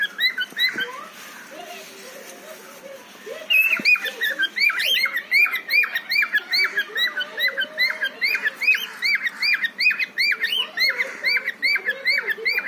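A male cockatiel gives a rapid run of bright, rising whistled chirps to call a female.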